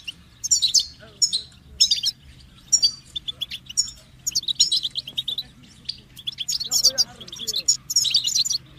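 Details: Goldfinch song of sparkling high twitters and chirpy trills in rapid bursts, with short pauses between phrases; faint lower warbled sounds appear near the end beneath a soft background hum.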